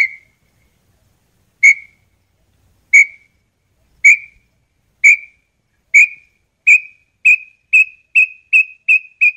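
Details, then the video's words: Red-legged tinamou song: pure high whistles that start slow, about a second apart, then speed up steadily and rise slightly in pitch into a quick run of short notes. A species of fields and forests. "Canto Lambu Pé Vermelho ou Chorona"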